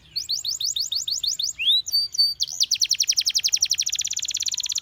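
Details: Canary song opening with rhythmic high chips, then a rising swept whistle, short flat notes, and a long accelerating trill of rapid repeated notes.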